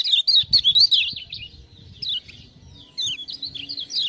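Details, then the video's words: Caged lemon-bellied white-eye from Lombok in lively song, stirred up by 'ciak-ciak' prompt sounds: fast, high, wavering warbled phrases in quick bursts, with a pause midway before the trills resume, over faint low background rumble. "Kecial Kuning joss gacor"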